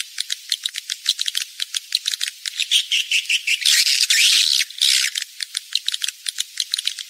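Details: Rainy-season breeding lure call of edible-nest swiftlets, rapid dry clicks repeated in an uneven rhythm, swelling midway into a dense, buzzy chattering burst before returning to scattered ticks.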